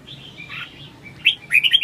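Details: Red-whiskered bulbul, a kept songbird, giving short warbled phrases: faint whistles early, then brighter chirpy notes in quick bursts near the end, with low background hum.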